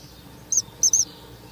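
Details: A Ural owl chick at a nest box on May 5, 2023 gives three short, high, hissing screeches in quick succession, the last two nearly run together, over a quiet background.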